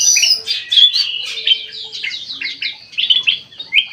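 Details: Bulbul singing actively in an aviary: a fast sequence of sharp whistled chirps and short slurred notes, about one and a half per second, uneven in spacing.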